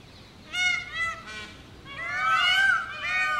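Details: Peacock making loud noises from a roof: nasal, harmonic wailing calls in short bursts, then a longer drawn-out rising and falling cry.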